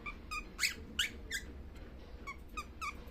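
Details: Baby cockatiel asleep and calling: a quick series of thin, squeaky chirps, several louder bursts near the start and fainter ones toward the end, with a low room hum underneath.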